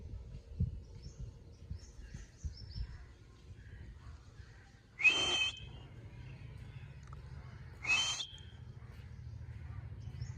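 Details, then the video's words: Pet ring-necked parakeet, described as a talking parrot, gives two short, loud, broadband squawky utterances about three seconds apart over a low household hum and soft background noise. "ring neck talking parrot"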